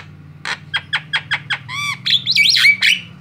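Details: Javan myna of the white-eyed variety, recorded as a lure for other birds: a string of rhythmic harsh chucks followed by rich, warbling, harmonic squeals.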